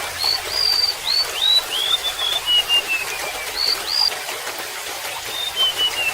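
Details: Golden-bellied gerygone song: bright upswept whistles stepping downward across about three seconds, a short pause, then renewed high notes slipping lower, set against running water.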